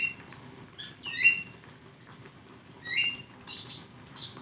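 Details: Flowerpecker song for training songbirds, with bursts of shrill, squeaky chirps and slurred notes coming in irregular groups, ending in a fast, dense flurry.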